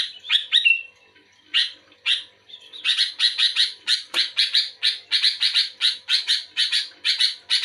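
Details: Sooty-headed bulbul singing actively in response to another, quieter bulbul; a run of harsh, bright, clipped notes repeated rapidly, with one short whistled slur near the start, over a quiet background.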